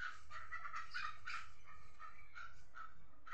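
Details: Chukar partridge calling with rapid, uneven, throaty clucks repeated several times a second against a constant low rumble.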